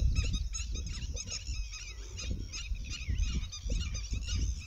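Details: Many birds chirp at a lake at sunset in a busy chorus of short, bright, high notes over a steady low rumble of wind or distant noise.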